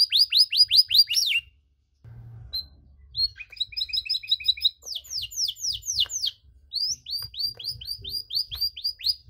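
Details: Canary delivering extended cengkok song intended to stir other canaries: fast falling whistled notes, a brief pause, then buzzy trills and mixed chirps and sweeps in varied phrases, low hum beneath.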